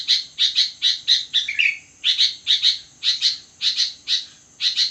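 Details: Lively sooty-headed bulbul song late at night: chirpy high notes repeated about once per second in small groups, one phrase ending in a lower downward slur, with a faint steady hiss behind.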